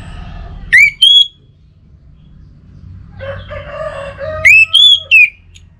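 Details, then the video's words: Loud rising whistled notes from an orange-headed thrush, used as a lure for a kept bird, separated by a rooster crowing in the distance, then more clear whistles. A low hum runs throughout. "Setelah 7 Menit ANIS Merah Dirumah Pasti Bunyi Dengar Pancingan Kicauan Burung ini"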